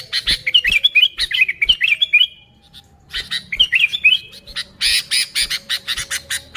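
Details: Sooty-headed bulbul song used as a lure, natural and unmixed: two bursts of rapid, fluty whistled notes with quick up-and-down inflections, separated by a short quiet gap, followed by loud scratchy chattering.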